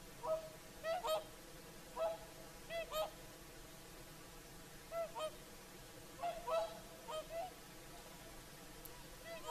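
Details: At sunset on Lake Saimaa's shore in Finland, whooper swans give an evening chorus of ringing, nasal trumpet honks, often in quick pairs and clusters, repeated through the recording against faint background hiss.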